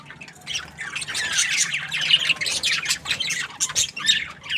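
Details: Happy budgerigar squawking and chirping in a rough, rapid babble of high scratchy notes, rising and falling in short waves over a quiet low hum.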